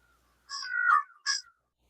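An American crow gives a harsh, hoarse caw followed by a shorter second caw, both coarse and low-pitched, over quiet background.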